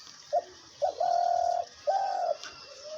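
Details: A dove kept as a hunting decoy, said to call constantly day and night, gives two short, low hoots and then two long, steady coos of about half a second each over a faint background hiss.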